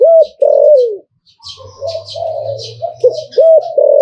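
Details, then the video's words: Zebra dove in 'Liu Tan' style song: loud rolling falling coos, a pause, then softer purring coos and hooked notes, over high twittering from other birds and a low hum. "หลิ่วตันตลอด Thai dove"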